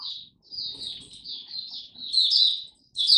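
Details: Caged Oriental white-eye singing in a song display, a run of high, thin twittering notes with a pause before a brighter, louder final burst.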